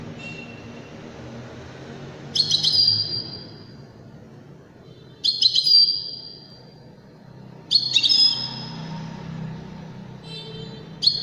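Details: Widani-style European goldfinch song with four or five twittering phrases spaced two to three seconds apart. Each ends in a held high whistle, heard over a steady low background hum.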